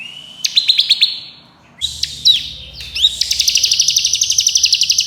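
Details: Bar-winged prinia, the crystal variety, in a fast, dense, varied song used as master training for contest birds: rapid trains of sharp high chirps and buzzy notes, ending in a quick run of clicks around two seconds long.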